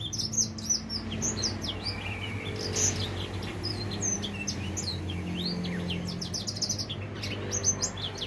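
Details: Young edel sanger finch, four months old and beginning to sing, gives a steady flow of high chirps and flicked whistles over persistent low hum and background noise.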